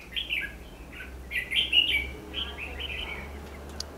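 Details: Red-whiskered bulbul singing during a fight-trapping session on 14 December 2015: bright, warbled whistled phrases, several short rising and falling notes grouped in bursts, with a low steady hum beneath.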